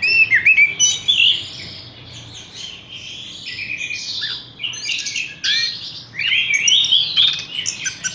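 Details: Horsfield's bush lark opening with loud twittering bursts, followed by softer rapid chatter and renewed whistled, warbling phrases.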